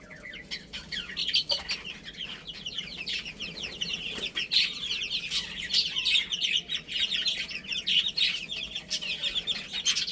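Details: Chicks chirping nonstop during play, many thin high notes in rapid, overlapping succession, with faint clicks and wing flutters underneath.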